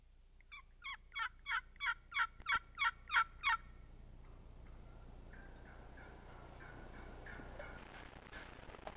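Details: Angry wild turkey hen that came over to scold a caller in her territory: a series of nine loud, sharp, evenly spaced yelps about three per second, then quieter softer clucking notes trailing off over steady background hiss.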